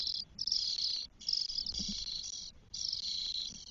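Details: Spotless starling chicks, four nestlings on day 12 in a nest in Spain, recorded 1 June 2022: loud raspy hissing in sustained bursts of about half a second to a second, broken by short pauses.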